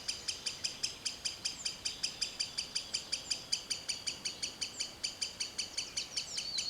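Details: In forest, a green sandpiper repeats high, sharp tick notes without a break, roughly two to three per second, steady in pitch and loudness throughout.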